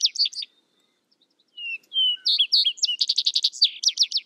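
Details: Vesper sparrow song: a bright trill fades, and after a pause two slurred whistles lead into higher chirps and a rapid run of sharp repeated notes, with a clean quiet background.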